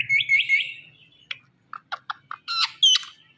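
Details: Indian ringneck parrot giving three quick high chirps in a row, then scattered short clicks and two sharp higher squeaks in a quiet room.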